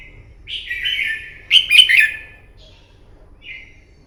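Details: Red-whiskered bulbul, wild-caught, giving a morning fighting song used to train a bird: a warbled whistle, then a louder rich phrase, then silence and one faint short note.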